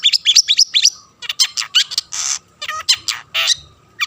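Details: Long-tailed shrike in full song to draw other shrikes into singing: a fast chattering of sharp twittering notes, then harsh rasping bursts and scratchy phrases with brief pauses.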